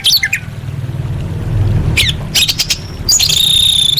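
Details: Orange-headed thrush training song: a harsh opening note, then quick chips and a long, high, steady whistled phrase at the end, with a low humming background.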